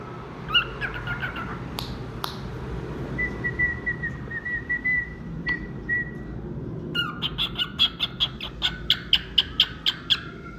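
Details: Singing pet cockatiel: a few chirps and clicks, then a long, slightly wavering whistled note, followed by a rapid, evenly paced series of bright chirps for the last few seconds.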